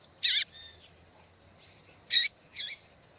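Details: Female double-collared seedeater piping to stir males into song before tournaments: three loud, harsh, high chips separated by softer, thin whistled and upslurred notes.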